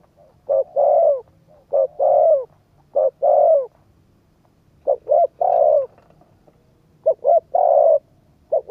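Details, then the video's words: Spotted dove coos used to stimulate a decoy bird in training. Hollow low two-note phrases come in bursts, with a pause of over a second mid-way before the cooing resumes. "cu gáy thúc gù kích bổi tập mồi hiệu quả"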